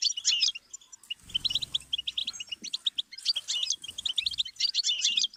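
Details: Goldfinch song as a stimulus for songbirds, bright twittering and trilled phrases, interrupted early by a low rumbling knock before the fast high chirping resumes.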